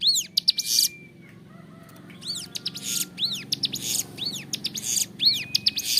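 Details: Vigorous, clear song of a Bar-winged Prinia for tutoring caged birds: bright arched whistles and buzzy rasps, broken by a lull after the first second, with a faint thin whistle from another bird in the background.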